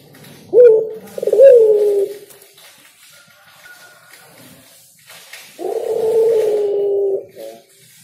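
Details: Spotted dove singing: short low coos opening with a brief rolling stutter, two quick phrases, then a pause before a long, steady, slightly falling coo lasting over a second; quiet room background.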